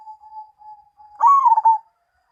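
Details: Zebra dove (perkutut) in Mojopahit style: faint level cooing hum, then one loud coo phrase with a sharp rise and falling, broken throbbing notes, ending softly.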